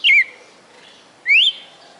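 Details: Red-cowled cardinal kept in Fortaleza, Ceará, Brazil, from its 'perfect song': two clear whistled notes a second apart, the first dropping, the second sliding upward.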